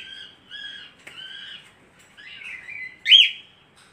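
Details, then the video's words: Budgerigar, called parkit aussie, singing: a series of warbling, whistled chirps with a few stretched notes, ending in one louder sharp rising-falling squeak; quiet background. "Burung Parkit Aussie ll Suara burung Parkit"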